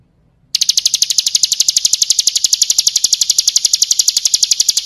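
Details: Bar-winged prinia (ciblek kristal) song for training: after a brief silence a bright, fast, evenly spaced trill of high clicking notes starts suddenly and keeps going steadily to the end.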